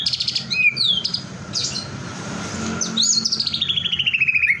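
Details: White-rumped shama song meant to get other shamas singing: bright high whistles and trills, then a long rapid trill that slowly descends in pitch, over faint low noise.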